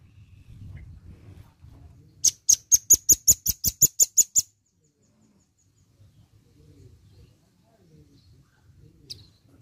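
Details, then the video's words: Energetic red-billed nuthatch (rambatan paruh merah) gives a quick run of about twelve piercing, high, staccato notes in two seconds, followed by near silence with faint low background rumble and one short high chip. "BUNYI BURUNG RAMBATAN PARUH MERAH GACOR"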